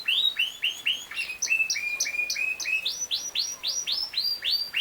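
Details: Yorkshire canary song, a king size canary breed: bright repeated rising-then-falling whistled syllables in rolling phrases, each note type repeated several times before shifting pitch, continuous and clear.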